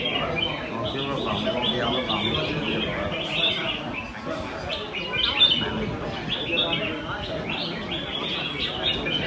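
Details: Caged red-whiskered bulbuls competing in song at a Sunday-morning contest in Quy Nhơn, Vietnam, on 21 June 2020; a continuous chorus of quick warbled, whistled phrases overlapping one another, with a crowd murmuring underneath.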